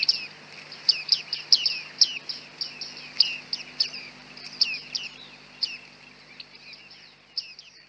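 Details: Several bearded tits calling on a very foggy day, filmed with a Panasonic G9 and 100-400 lens; bright metallic pings and quick descending chirps repeat in loose bursts, thinning out toward the end, over a low steady hum.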